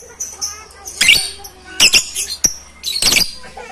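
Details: Several lovebirds calling loudly together, recorded on a phone camera: harsh, shrill screeching bursts about once a second over a busy background of thin high chirps and squeaks.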